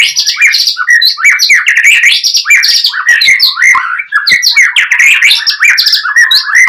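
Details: Oriental magpie-robin in continuous gacor song, intended to provoke a rival: dense rich warbling with loud mixed whistles and chirps, hardly any pause throughout.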